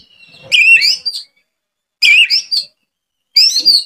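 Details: Oriental magpie-robin singing used as a lure to get other magpie-robins to sing: three loud, separate bursts of rich, high whistled and warbled notes with sharp slurs, split by silent pauses about a second long.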